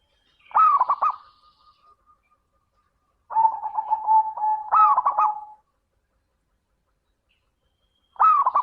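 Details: Lure song of a persistently singing zebra dove, meant to stimulate other doves: three phrases of soft, rapid, stuttering coos, the middle one drawn out with a long trill-like run, separated by pauses of several seconds.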